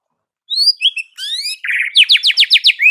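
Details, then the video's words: White-rumped shama (murai batu) singing energetically: a thin rising whistle, slurred high notes, a brief rattle, then a fast run of about seven bright, rising whistled notes, all clean with no other sounds. "MURAI BATU GACOR"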